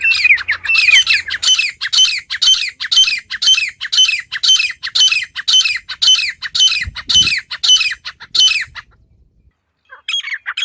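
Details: Wild female partridge giving its natural call: a long, regular series of harsh squawks about twice a second, a pause, then a few more notes.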